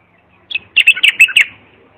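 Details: Single bulbul phrase from song used to teach young bulbuls: a soft lead note, then four or five quick, bubbling, whistled notes.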